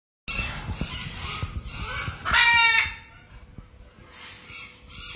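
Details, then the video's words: Pair of blue-throated macaws foraging: one loud, harsh, harmonic squawk of about half a second stands out midway, with quieter rustling and scratchy background noise before and after. "Beautiful Blue Throated Macaws"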